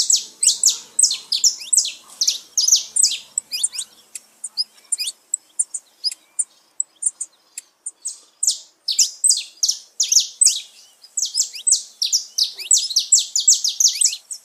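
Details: Saffron finch song played to stimulate pet birds: long rapid series of piercing high chirps, easing into softer, thinner notes in the middle before building back to dense, loud chirping.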